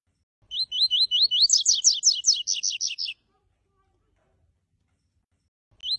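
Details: Double-collared seedeater (papa-capim coleiro) singing a tui-tui style song: a series of five rising whistled slurs followed by a fast, buzzy, descending trill of rapid notes, lasting about two and a half seconds, then silence before the next phrase begins.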